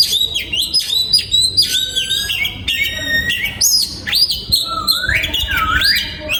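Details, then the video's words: Singing in a breeding aviary in 2022, an oriental magpie-robin mixes loud whistled notes, long downward and upward slurs and bright trills in quick, varied succession. "Giọng Chim Choè Than Hót"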